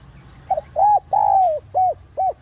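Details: Spotted dove, a call played to lure wild doves, Vietnamese style: a short double note, then a rising-falling coo, a long sliding coo and two clipped coos, all low and hollow.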